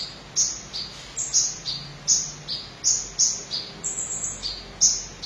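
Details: Van Hasselt's sunbird singing briskly: thin, very high sweeping notes, each falling slightly, repeated roughly every half second over a steady background hiss.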